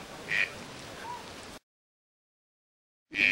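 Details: Green-billed toucan (Ramphastos dicolorus) gives two brief, harsh, croaking notes about three seconds apart, with a faint lower note between them.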